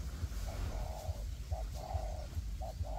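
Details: Spotted dove serving as a trapping decoy, tested in forest alongside another decoy bird; clear repeated cooing, short clipped notes each followed by a long level coo, roughly three phrases, with low thumping background.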